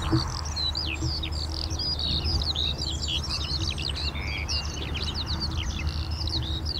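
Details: Eurasian skylark song with traffic noise in the background: a loud, dense outpouring of sharp chirps, slurred whistles and quick trills running on for the whole stretch, above a deep rumble of traffic.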